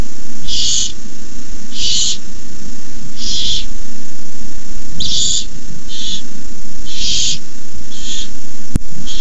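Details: Barn owl owlets in the nest at night, 18 May 2015, hissing during an adult's rabbit delivery: about eight short rasping hisses, roughly one per second, against a steady low drone.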